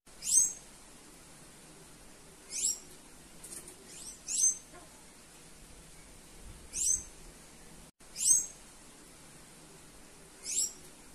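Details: A female Sayaca tanager calls to stimulate others, repeating short, piercing, very high notes roughly every two seconds, six clear calls plus a few softer ones, against low steady hiss.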